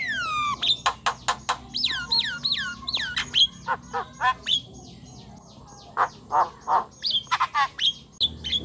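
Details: Chattery Javan myna singing 'gacor', meant to stir silent or young mynas into voice: falling whistled slurs in a short series, then dense clicking chips and harsh notes, with high whistled flourishes near the end.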